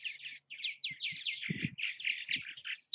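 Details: Purple martins active at their bird houses in Southwest Missouri, a dense, nonstop chorus of gurgling, chirping notes that rise and fall rapidly, with a few soft low thumps and a faint steady hum.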